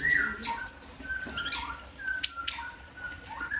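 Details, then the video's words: Orange-headed thrush, a kept songbird in "teler" style, singing a varied run of high whistled notes, sweeping slurs and short trills, with some softer lower whistles in between and a brief pause near the end. "Anis Merah teler"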